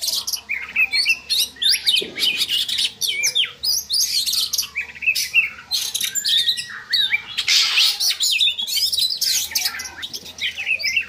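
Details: Lure recording of Oriental magpie-robin song aimed at raising breeding drive in captive birds; dense, scratchy warbling with rapid chirps and short whistles, over a steady low hum.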